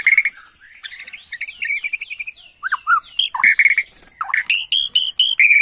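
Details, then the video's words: Worked-up Bornean white-rumped shama song used as a lure: scratchy, high twittering mimicry-like notes give way to sharp whistled slurs and ringing, evenly spaced stacked notes near the end. "PANCINGAN MURAI BORNEO EMOSI..!! HITUNGAN DETIK LANGSUNG NYAUT"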